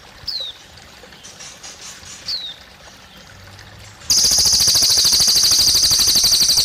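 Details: Running water with two short downward whistles at first, then a cililin abruptly starts a loud, high, rapidly pulsing trill that continues to the end.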